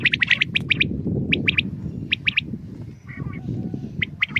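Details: Morning calls of a common quail: crisp three-note phrases, each note short and bright, repeated at irregular intervals above a steady low rumble of background noise.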